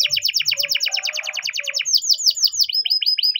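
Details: Spanish timbrado canary training song, morning: dense run of fast descending chirps, a few broader swooping notes, then clipped upswept whistles repeating briskly to the end.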